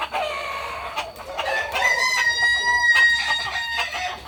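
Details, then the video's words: A Kukuak Balenggek rooster at a Sunday practice contest in Ampang Kualo gives a short opening call, then a sustained, steady, pure-toned crow of about two seconds that tails off, with faint crowd noise. "ayam kukuak balenggek"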